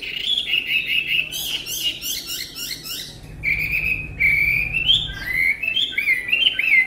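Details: Tame Chinese hwamei singing sustained whistles, then a rapid series of harsh, buzzy repeated notes, followed by clear swooping whistled phrases that climb and fall, with faint low hum behind.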